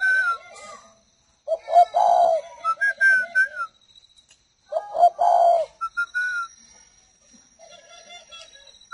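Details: Spotted dove from a captive breeding pair. It gives low, throaty cooing phrases in two bursts a few seconds apart. Steady clear whistled tones sound over and between the phrases.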